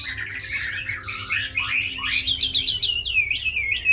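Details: Tame Chinese hwamei in a cage, described as fighting well and singing beautifully, sings a short burst of harsh-edged notes leading into a run of clear, descending looped whistles.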